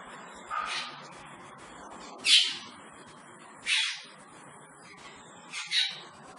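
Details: Wild Asian glossy starling heard as a few loud, harsh, scratchy bursts spaced one to two seconds apart, with fainter chatter and a steady hiss behind.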